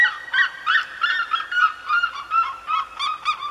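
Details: Seriemas of the red-legged kind calling in the Serra da Mantiqueira: rapid, rhythmic yelps roughly three per second, some notes rising then dropping, with sharper, higher yelps near the end.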